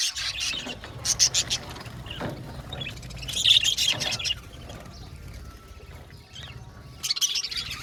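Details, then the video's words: Aviary budgerigar colony giving scattered bursts of sharp high chirps, loudest near the middle and at the end, with quieter gaps and a low rumble underneath. "Beautiful Budgies chirping sound"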